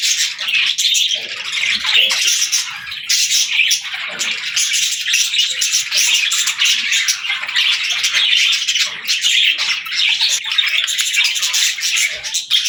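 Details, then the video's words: Lively pet parakeets playing, singing and talking: long, unbroken, high twittering and squeaky chatter from several birds throughout. "Parakeets Playing, Singing & Talking | Relaxing Chirping Sounds"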